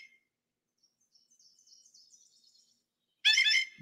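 A Blue Jay gives a single loud, liquid bell call lasting under half a second, after a few faint, thin, high notes.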